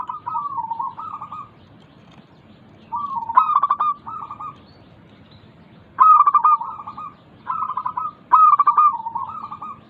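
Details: Zebra dove of the local type, sung as a lure for doves reluctant to sing. There are rippling purred coos, then sharp stuttering note bursts and trills in phrases a few seconds apart.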